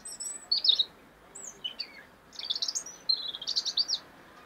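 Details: A European robin (Erithacus rubecula), recorded in 2016, sings a high, tumbling phrase of thin whistles, quick trills and sliding notes, varied and liquid, with a faint background hiss.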